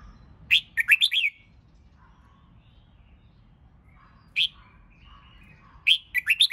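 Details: Red-whiskered bulbul singing during training for singing competitions: a quick burst of five bright, warbling whistled notes, then a lone sharp note, then another rapid warbled phrase after a pause, over a faint low hum.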